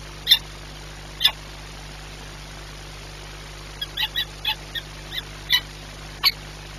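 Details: During a feeding at Orlen Płock on 21 April 2021, 9:57, a peregrine falcon gives two spaced sharp calls, then a quicker irregular run of short harsh notes, all over steady background hum.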